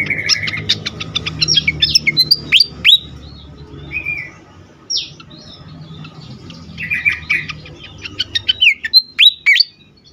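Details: Agitated fantail alternating rapid volleys of sharp chips and down-swept whistles with brief pauses and a few softer drawn whistles, then renewing the excited chatter; faint low hum behind.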